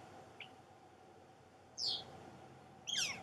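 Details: A juvenile northern flicker calls from its nest hole in a snag at a pond entrance, while its siblings may have fledged. A faint short note is followed by two harsh, buzzy, downward-sweeping calls over low background hum.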